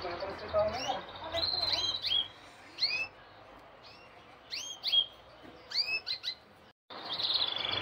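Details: Male canary kept in a cage singing vigorously to a red female in the breeding season: clusters of clear, high whistled notes that sweep sharply down, delivered in uneven phrases with short pauses between.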